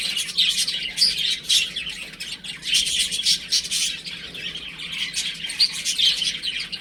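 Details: Baby chickens playing at home, several chicks peeping at once in high, shrill, overlapping chirps that come in bursts with short quieter gaps between them.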